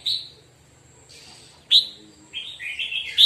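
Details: Red-whiskered bulbul during morning song practice, a few isolated whistled notes followed by a rising warbled phrase, with quiet gaps between.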